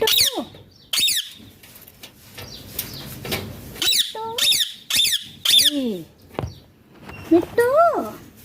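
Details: Ringneck parrot producing a busy series of squeaky squawks and bent, drooping whistles, some falling sharply in pitch, packed closely together indoors.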